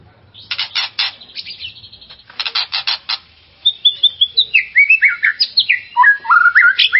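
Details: Provoking song of a white-rumped shama meant to excite another shama: opening grating, buzzy chatter bursts give way to a long series of quick whistled notes, each sliding up or down, repeated steadily.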